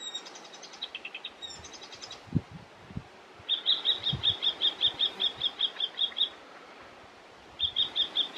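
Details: Icterine warbler (Hippolais icterina) singing in Västerbotten on 27 June 2021: a few high twittering notes, then a fast run of identical sharp notes repeated about five times a second before starting again, over faint low wind rumble.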